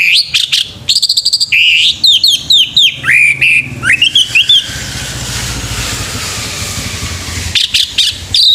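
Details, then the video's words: Male orange-headed thrush in morning song, delivering a long run of varied rising whistles, slurs and rapid notes, then a hissing passing-vehicle noise before another brief high phrase. "SUARA ANIS MERAH PAGI HARI"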